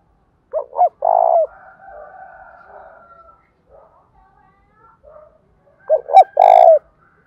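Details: Spotted dove singing in the Đồng Thổ voice, used to stir a rival male into calling. Two phrases, each of quick double notes followed by a long, sustained, throaty coo. A soft whistling tone runs faintly between them.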